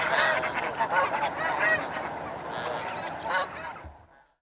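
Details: Snow geese in flight at Chincoteague, Virginia, USA, give nasal, barking honks about once a second over a dense backdrop of overlapping flock calls, fading out at the end.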